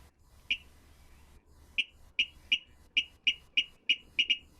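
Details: Virginia rail (Rallus limicola) song, Maine wetland bird: a distinctive series of about a dozen sharp clicking notes, starting slowly and speeding up, over a faint low rumble; pair members sometimes trade this song back and forth.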